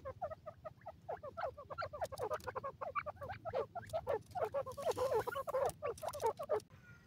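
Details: Grey francolin chicks, called dakhni teetar babies, exploring and interacting together; dense, overlapping chatter of short, rapid chirps and peeps from several young birds, continuous throughout with barely a pause.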